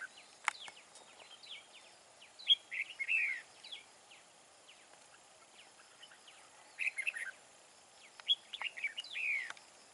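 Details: Wild-caught red-whiskered bulbul, a large-bodied, big-throated decoy bird with a wild voice used for fight-trapping, sings bursts of short, bright, warbled phrases with sliding whistled notes. The phrases come in clusters separated by quieter pauses.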